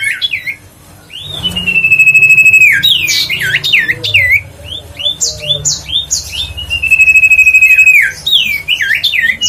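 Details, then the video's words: Huyt co bird song used as a lure to excite other birds: sustained level whistles run into rapid rising-and-falling curled notes, loud and dense across most of the recording. "tiếng chim huyt co siêu sang chảnh//giọng nói để tăng ham muốn chim huyt co"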